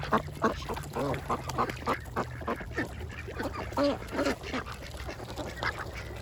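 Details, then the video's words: A mixed group of ducks at a pond during feeding time, quacking in quick rough bursts, some calls clearly harmonic and drawn out, layered over a constant low drone. "Ducks Feeding and quacking sounds"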